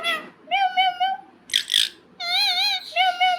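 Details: Talking parrot gives voice-like, wavering syllables in a high, speech-like register, broken by a short breathy rasp in the middle, then two more drawn-out, word-like phrases.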